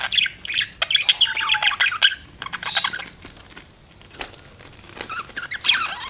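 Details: Pet parakeet giving twittering chirps and squawky notes, lively for two seconds, then a softer stretch before a last bright burst of warbling.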